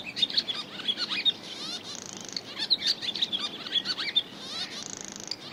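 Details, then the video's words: Barn swallow twittering: quick, high chirps tumbling one after another, broken twice by a short grating buzz, with no other sounds standing out. "Swallow [Hirundo Rustica] Sound Effect"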